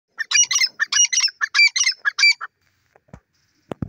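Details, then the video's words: Female grey francolin (teetar) calling: a rapid series of about a dozen harsh, squawking notes packed into just over two seconds, followed by near silence with a few faint clicks. "female grey francolin sounds teeter nature sounds"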